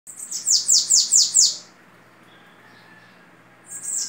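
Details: Bananaquit of the type called babaçu, singing in the Belgian-style song, with a rapid phrase of about six high, sibilant, downslurred notes in quick succession, then a pause before the next phrase begins; faint background hum.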